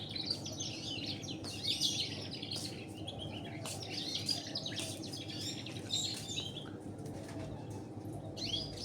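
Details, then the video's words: Canary tutored on local canary song, featured with a red siskin: bursts of fast twittering and rolling trills broken by short pauses, over a constant low background hum. "Masa depan cerah kenari featuring redsiskin"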